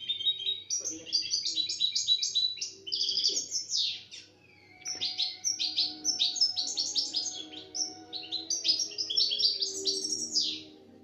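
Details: European goldfinch singing right after being taken out of its box, recorded in 2017: rapid bursts of high, tinkling, twittering notes in long runs, with one brief pause midway and a faint low murmur in the background.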